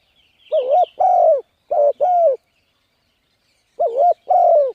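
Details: Spotted dove calling to lure wild birds: paired coos, a short wavering note then a longer falling one, repeated in three pairs with gaps, faint higher chirps from another bird at the start.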